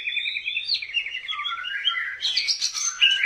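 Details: White-rumped shama singing in a courting style: a continuous, varied run of high whistled and warbled phrases, rising and falling, ending in a denser burst of rich notes.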